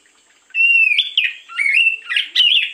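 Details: Oriental magpie-robin singing in the morning as a lure: loud, sweet whistled phrases with slurred rising and falling notes and harsher buzzy notes mixed in, after a half-second pause.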